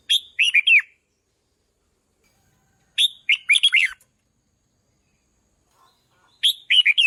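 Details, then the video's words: Red-whiskered bulbul sings repeated phrases to fire up decoy birds, three bouncy whistled bursts roughly every three seconds, each of four or five quick slurred notes. "นกปรอดหัวโขนร้องเพราะที่สุด | ฝึกเสียงให้ร้องดัง | กระตุ้นนกต่อให้ฮึกเหิม"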